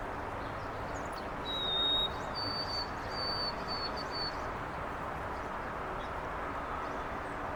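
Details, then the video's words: White-throated Sparrow in Carl Schurz Park, New York City, on 25 March 2021, whistles one clear lower note, then several long, higher pure notes drifting slightly downward, over a steady soft hiss. "WHITE-THROATED SPARROW Calls, Sounds"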